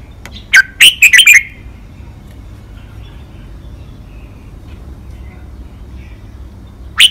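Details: Red-whiskered bulbul, caged, five-syllable training song: one loud warbled whistled phrase, then a long quiet stretch and a single note at the end.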